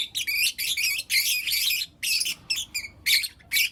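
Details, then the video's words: Lutino lovebirds, four young ones, chirp in the morning with loud, buzzy, high chatter in bursts of about half a second, several per second. "Lutino LoveBird Chirping Sounds - four Cute LoveBird Kids"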